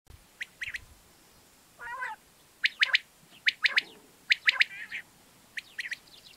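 Quail giving sharp, high chirped notes in quick pairs and triplets about once a second, with one lower nasal squawk in between.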